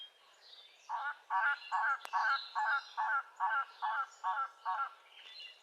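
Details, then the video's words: Elegant Trogon on the Carrie Nation Trail at the end of White House Canyon Road, Madera Canyon, southeastern Arizona, giving a steady series of about ten hoarse, croaking notes, roughly two per second, with faint background noise. "yep this is the elegant trogon and let's listen to its amazing vocalizations"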